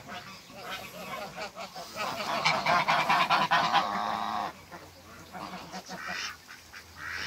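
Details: African geese couple meeting on a farm in Greece, giving a fast run of rasping honks for about two seconds, then quieter calls amid background clatter and a low hum.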